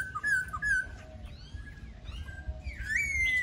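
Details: Laughingthrush song of short whistled notes, a quieter pause, then a bright rising whistle that falls away slowly, with faint chatter and a low hum behind.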